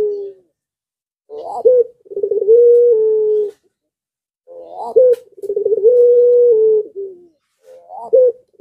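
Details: Pelung Barbary dove in breeding condition, calling and setting off other doves nearby. Each phrase opens with a short upward-swooping note, then runs into a long, low, even coo. The phrase comes twice, with a third beginning.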